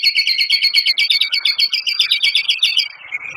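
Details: White-rumped shama singing hard in rapid-fire fashion. A fast, dense, two-pitched chattering trill of about twenty-five pulses runs nearly three seconds before fading into a softer thin note.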